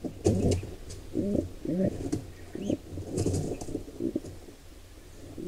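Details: Wild pigeons at a nest as an intruding pair attacks a nestling: clusters of low, muffled coos and grunts with scattered clicks and rustling, fading toward the end.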